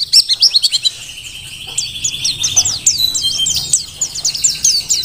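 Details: Merapi dakun mountain white-eye in full vigorous song, recorded for tutoring other birds; a fast run of sharp high chirps gives way to a thin, jumbled twittering warble that keeps going without pause.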